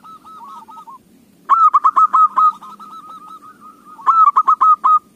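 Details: Zebra dove singing as a lure for other doves: faint cooing first, then a strong run of quick staccato coos trailing into softer notes, and a second loud burst near the end.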